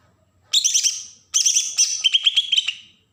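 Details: In Berau, Kalimantan, a Bornean green leafbird delivers agitated song to provoke untrained birds: a fast whistled phrase, a brief break, then a longer stream of clipped, evenly spaced high notes.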